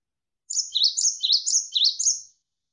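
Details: Javan sparrow (gelatik wingko) singing in a tutoring recording for training songbirds: a quick run of about five sharp, high chirps, each dipping then rising, lasting under two seconds.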